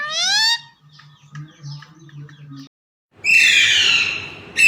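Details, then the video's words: Green parrots, said to be singing the phrase "Mian Mitho Chori Khao gy"; a rising harmonic call opens, followed by soft low murmurs, a pause, then a loud, harsh, drawn-out screech. "Green Parrots Sing A ( Mian Mitho Chori Khao gy )"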